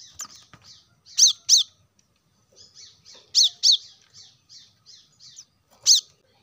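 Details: Plain-throated sunbird, used to stir caged birds into song: paired, very high, sharp chirps every two seconds or so, with soft thin twittering notes filling the spaces between.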